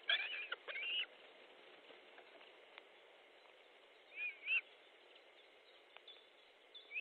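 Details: At an Estonian Osprey nest on 14 July 2014 at 12:50, as fish is brought in, a quick series of high, piercing whistles opens, then a pause, then two more wavering whistles and a faint final note.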